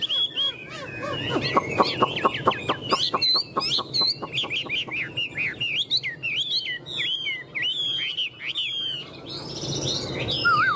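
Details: Chinese hwamei, a tame cage bird, opening with a quick run of sharp clicking taps, then breaking into rich varied whistled song of looping, up-and-down slurred phrases repeated in rapid bursts.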